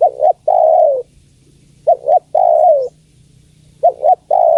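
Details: Spotted dove hen calling to a male, three repeated phrases, each a clipped two-note hoot leading straight into a long, smooth, downward-sliding coo, with quiet pauses between them.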